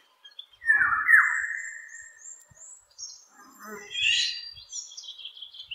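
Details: Distant Eurasian golden oriole singing from high up: a full, fluty descending whistle early on, then softer scattered high notes and faint twittering.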